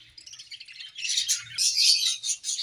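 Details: Budgerigar pair singing in an aviary in the morning: soft chirps grow into a loud, bright, high twittering warble with squeaky whistled notes.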